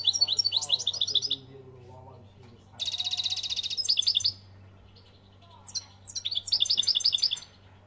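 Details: European goldfinch from Algeria singing in three bursts of rapid, high, tinkling twitters and trills, separated by quiet pauses of about one to two seconds; a faint low hum runs underneath throughout.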